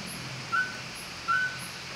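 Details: Mountain scops owl calling at Maokong, Muzha, on 4 August 2020: two short, clear whistled notes about three-quarters of a second apart, over steady background hiss and rhythmic high-pitched insect pulses.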